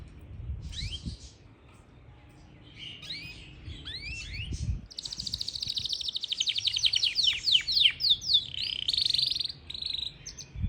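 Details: Song of a Yorkshire canary in Parachinar: a few rising whistled notes, then a long, rapid, rolling trill of high clipped notes, swelling in loudness before a final buzzy phrase.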